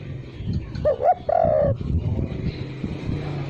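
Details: Spotted dove lure coo without kuk: two short rising notes and a long level coo, partly masked by low rumbling background noise and scattered knocks.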